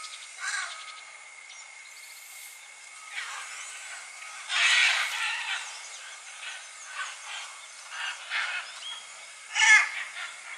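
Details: Scarlet macaws (Ara macao) in Costa Rica give harsh, raspy screeches at irregular intervals, loudest near the middle, over a steady insect hum.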